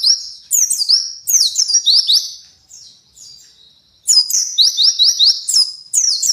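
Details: High-pitched, fast warbling from a white-eye of Kuningan, West Java: jumbled twittering phrases with clipped rising whistles in quick series, a quieter pause of about a second, then another energetic burst of chattering notes.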